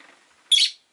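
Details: Single strident, buzzy chirp from a rosy-faced lovebird kept with four others in a cage at a window, preceded by a low murmur.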